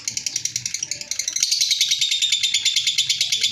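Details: Lovebird in long ngekek chatter, quick high chirping pulses that become louder and denser after the first second; faint low rumbling and room noise sit underneath.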